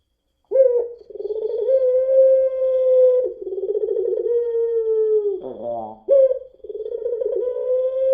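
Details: Long-voiced puter pelung dove calling as a lure sound. It gives a chain of sustained, even-pitched coos with a slight tremble, interrupted once by a harsh, cough-like catch before the coos resume.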